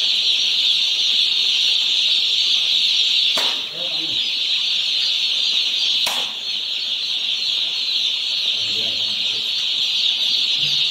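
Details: Many one-day-old chicks on a poultry farm keep up a steady high-pitched peeping chorus, broken by two sharp clicks and brief low murmurs near the end.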